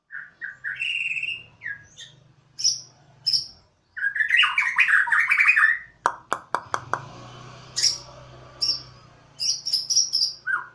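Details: Borneo White-rumped shama kept as a pet on a home terrace, singing with gusto in siren-like style. Rapid chirps, squeaky warbles and a burst of clicks, with sharp high notes, over a faint low hum.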